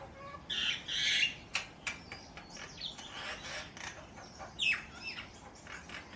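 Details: A bird giving varied calls: two loud, harsh squawk-like bursts near the start, then scattered short chirps and another sharp descending call later, over steady background hiss.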